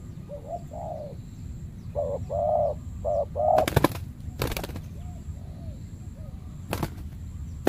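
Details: Wild spotted dove, the aggressive dominant bird of a banana plantation, challenged by a trained decoy dove during trapping; a quick run of mellow, low cooing notes, some rising and falling, then sharp loud clicks and quieter coos trailing off.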